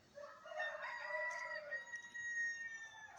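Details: Rooster crowing again in the background of a man's talk; one drawn-out, harmonically rich crow with a strained, nasal tone rises then holds and fades over about three seconds.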